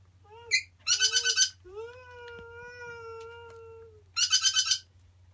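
Grey parrot chicks give short rising squeaks, harsh raspy bursts of rapid notes, and a long steady nasal whine, over a low constant hum.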